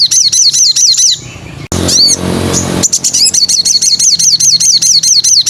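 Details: Crimson sunbird from the wild, played as lure audio for caged songbirds. Rapid high, thin looping chirps tumble in quick succession, broken by about a second of harsh rushing noise, then resume.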